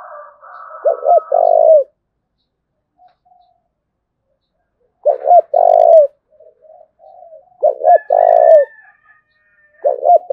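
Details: Spotted dove of Dong Nai, Vietnam, in thúc bổi cooing: four low phrases about every two to three seconds, each a quick double hoot then a drawn-out coo, with soft murmurs and faint higher calls in the gaps.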